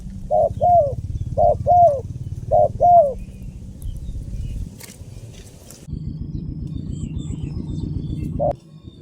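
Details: Spotted dove cooing: short, hooting coos in quick pairs and triplets, three phrases in the first three seconds, then one more coo near the end, over a steady low mechanical hum and faint rustling.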